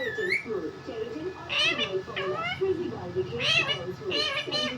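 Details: Pet talking parrot, said to speak words such as mummy papa, gives several harsh, speech-like bursts with stacked harmonics through the middle and end, over low human voices in the background.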